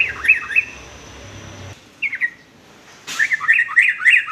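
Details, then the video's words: Sooty-headed bulbul song used to tutor young males: brief slurred chirps, a short two-note phrase, then a louder, rapid bubbly chatter of varied notes at the end. "kicau trucuk aneh tapi unik"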